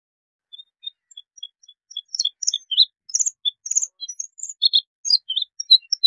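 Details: Bluethroat song: sparse high ticking notes building into a varied, rapid mix of sharp chirps, trills and metallic phrases, loud and clean against a silent background.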